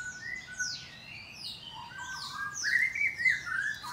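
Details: Morning in a Bogor breeding aviary, a white-rumped shama sings: soft high downswept whistles, short steady tones, then a louder, rolling warbled phrase with quavering notes.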